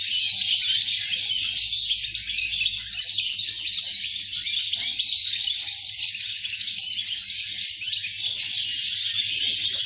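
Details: European goldfinch song dated 8.11.2018, a long, lively cascade of high tinkling twitters and buzzy chirps, continuous and dense from start to finish, with a low hum in the background.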